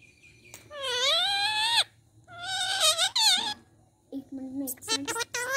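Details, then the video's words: Talking rose-ringed parakeet imitating Sinhala speech: drawn-out, harmonic, voice-like phrases that rise and hold, a pause, then a run of short clipped syllables and sharp squeaky notes. "talking ringneck parrot sinhala|කතා කරන මාල ගිරවා"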